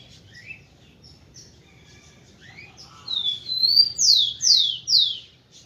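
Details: Rufous-collared sparrow (tico-tico) song, used to stimulate females. After faint chirps, a rising whistle leads into three loud, clear, slurred downward whistles spaced about half a second apart, with faint twittering of other birds behind.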